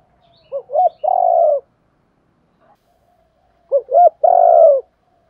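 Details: Lure recording of a spotted dove: a three-part coo phrase, two quick notes leading into a sustained, mellow coo, repeated twice about three seconds apart against a silent background.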